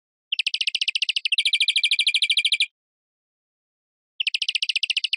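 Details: European greenfinch trilling: long, fast rattles of repeated short notes, roughly three per second or more. The second phrase is tighter than the first, and the pattern starts again after a gap.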